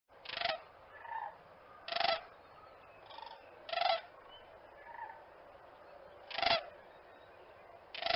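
A crane gives loud, harsh, trumpeting calls at uneven intervals, about five in eight seconds, with softer honking notes between them.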